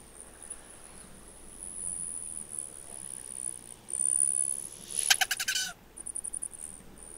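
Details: Male Rufous hummingbird display: a thin, high metallic whine from the wings in flight runs throughout, broken near the end by rapid, buzzy sputtering pulses of the "waggle" display as it comes out of the dive. Quiet background.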